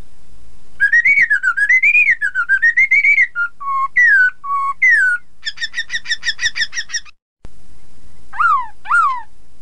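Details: Chinese hwamei song played to make rival birds sing along: a long wavering warbled whistle, short low notes and slurs, a fast series of repeated buzzy notes, a brief break, then two steep downslurred whistles.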